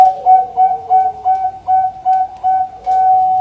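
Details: Perkutut (zebra dove) singing as a lure: a fast, rhythmic series of bright coos, about three per second, ending in a longer held note. A second, lower dove slurs faintly underneath.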